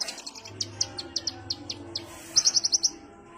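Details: Sunbird known locally as kolibri ninja, a relaxed-sounding lure call: a series of high, thin chips repeated at about three per second, then a quicker burst of five sharp notes near the end.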